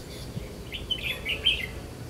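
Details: Red-whiskered bulbul used to lure rivals into a trap, 5 July 2016: a brief run of three or four liquid chirping notes rising and falling, with soft background hiss.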